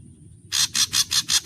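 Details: Ashy drongo singing its full variations: loud, harsh, buzzy notes repeated about five times a second in a rapid, rhythmic series over a steady high whine.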